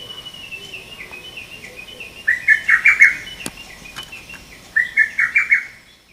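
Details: Male lesser cuckoo, recorded 30 May 2017, delivering two loud, sharp staccato phrases of several quick notes, preceded and overlapped by a thinner, higher whistled series from another bird.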